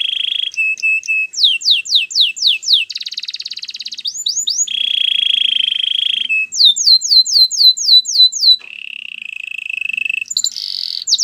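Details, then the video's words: Canary training song made of distinct tours: a held whistle, rapid falling sweeps repeated in series, a buzzy roll, a long steady tone, then more quick descending sweeps and a closing trill. "Canary training song"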